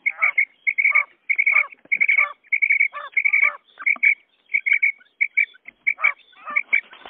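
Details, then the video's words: Quail lure recording of common quail, male and female: dense runs of sharp two- and three-note whistles, each group trailing into a rough lower note, repeated almost without pause. "Batair ki Awaz bima kirak / quail sound effect | batair karik"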